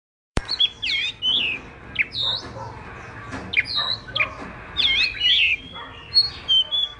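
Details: Chinese hwamei song, played to stimulate other hwamei to sing: loud, varied whistled phrases, rising and falling slurs and quick warbles in bursts separated by short pauses, with a faint low hum underneath.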